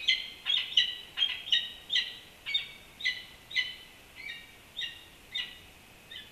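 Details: Peregrine falcon at the nest on the Campanile at UC Berkeley; harsh, grating calls, quick at first, then slowing to about one every half second and softening.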